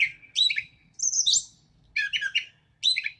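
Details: Gray Catbird song from southern Wisconsin: a jumble of varied squeaky, scratchy phrases in short bursts about a second apart, with mimicked notes mixed in, including a blue jay imitation.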